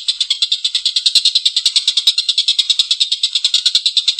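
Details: Collared kingfisher in a long, rough laughing call: harsh, buzzy notes repeated rapidly and steadily, about eight per second, running without a break. Faint clicks sit underneath.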